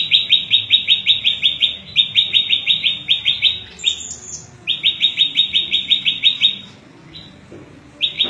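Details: Prinia (prenjak lumut) variation song for tutoring and bird luring, with bursts of quick, high rising chips in rapid series, broken by short pauses and one thin high whistled note.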